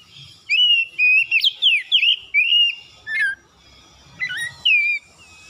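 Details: Oriental magpie-robin (kacer) morning song, used as a lure to prompt reluctant birds into full singing: bright slurred whistles and rapid warbled phrases in bursts, a short squeaky note near the middle, then a sharp rising whistle and closing phrases.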